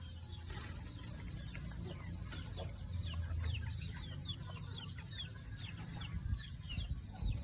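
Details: Backyard full of red junglefowl, with rapid repeated high chirpy notes and clucks running through the middle, over a steady low rumble.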